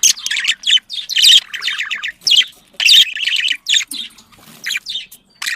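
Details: Budgerigars kept as pets, mating chatter meant to prompt breeding: bright twittering phrases and rasping chirps in groups, about every second, fading toward the end.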